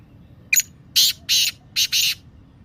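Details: Black francolin (Kala Teetar) call, used to stir silent or lazy captive birds into calling. A sharp clipped note, then four grating, rasping bursts grouped in two pairs within about a second.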